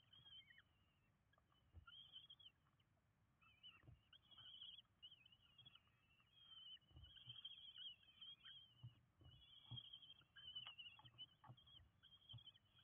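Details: In Windsbach, Germany, on 27 June 2022, five common kestrel chicks call while being fed at the nest: high, wavering, squealing notes in repeated bursts, with intermittent quiet knocks and rustles.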